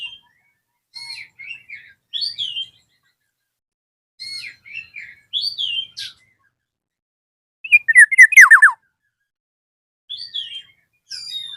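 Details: Black-naped oriole calling a rival: soft chirpy groups of short notes repeated every few seconds, broken by one loud chattering phrase ending in steeply descending slurs.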